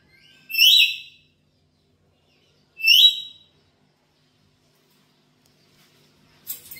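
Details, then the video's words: Black-capped lory kept at home, giving loud harsh screeches as a lure call, two rising squawks about two seconds apart, with a third starting at the end. "Pancingan Burung Nuri Kepala Hitam di rumah"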